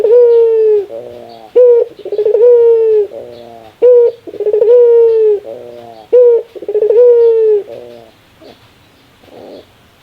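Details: A Barbary dove laughs repeatedly in this rare call, with brief sharp notes, stuttering pulsed coos and long held mellow tones in close succession. The calls end near the eighth second, followed by faint soft sounds.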